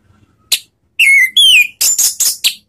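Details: Orange-headed thrush lure song, ngeriwik style, used to make thrushes sing: a sharp chip, then two long whistles, the first gently falling and the second higher and descending, ending in three harsh, loud notes.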